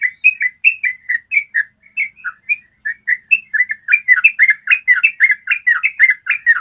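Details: Clear training song of a yellow-vented bulbul in the long 'ropel' trilling style. Loud, bubbly, warbled notes come in quick rhythmic bursts, briefly sparser midway, then dense again toward the end. No other sounds are heard.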